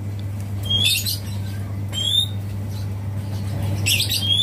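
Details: A young Asian pied starling, a nestling taken from a mango tree and now kept as a pet, gives three sharp, rising whistles about every one and a half seconds with scratchy chatter between them, imitating a magpie robin, over a steady indoor hum.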